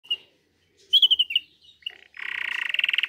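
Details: Canary singing: a few scattered high chirps and a quick run of bright notes, then a steady, fast, buzzy trill that fills the last second.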